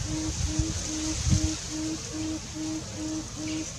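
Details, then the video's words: A Tawny Frogmouth calls with a steady, continuous series of deep, soft 'oom' notes, about two each second, over a low background rumble. "Tawny Frogmouth - call"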